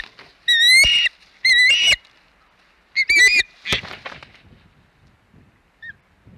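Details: Osprey on a Hog Island nest, 12 May 2021, calling while eating a big flounder: three loud harsh squealing bursts with a rising whistled edge, each under a second, separated by short quiet gaps and faint rustling.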